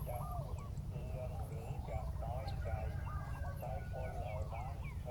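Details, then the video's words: Spotted doves calling back and forth as a decoy on the ground tries to bring down a wild bird; repeated rolling coos overlap, with faint higher chirps from other birds and a constant low hum. "เสียงนกเขาใหญ่ ต่อ นกเขาใหญ่"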